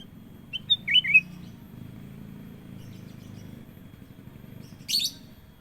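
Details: Sooty-headed bulbul giving a brief phrase of two or three sweet, slurred whistles over a steady low hum, then one short, buzzy, scratchy note a few seconds later.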